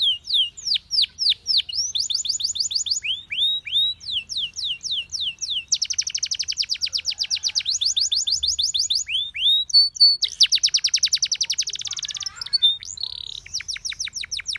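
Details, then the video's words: Canary song used for training canaries to sing: bright, high trills in quick runs of repeated notes, each phrase a fast rolling series switching to a new note type every second or two. The background is clean and quiet. "Your canary immediately sings when you hear this canary chirp"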